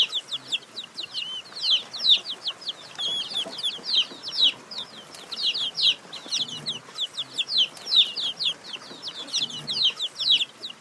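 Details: Several chicks of a hen chirping together: a busy stream of high, thin, falling peeps that overlap without pause, over a soft, constant background hiss.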